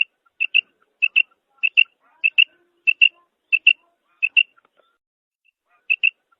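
A female quail gives high, clipped double notes, quick paired 'quip-quip' calls, repeated about every half second with a short pause before the last pair.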